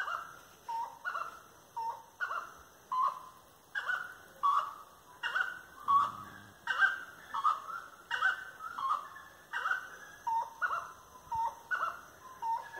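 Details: Grey-necked wood rail delivering a firm song at dusk, 25 March 2022, 18:30, along tree-lined avenues; a long, steady series of loud nasal honking notes, roughly two every three seconds, with no other clear sounds.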